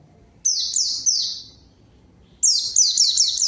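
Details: White-eye lure song to call a rival and get quiet birds singing: a short burst of bright downward-slurred whistles, a pause, then a renewed quick run of high tumbling notes.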